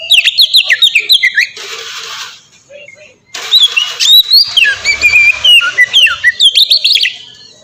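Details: White-rumped shama song used as a lure for other shamas; fast whistled and slurred notes broken by two blocks of loud hissing noise, then a long varied phrase resuming, with faint low hum.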